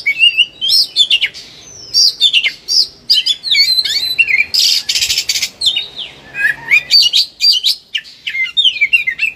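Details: Agitated caged Oriental magpie-robin, kept as a training recording to coax reluctant birds into song, delivers a long, fast run of varied whistled phrases, upslurs and short notes, with a brief harsh rasping burst midway.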